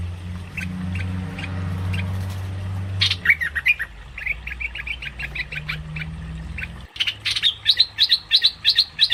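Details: Cream-vented bulbul, recorded as a lure for bird trapping: sparse short chirps, then a busy run of bright notes, ending in rapid, evenly repeated sharp chirps, with a low hum throughout the first part.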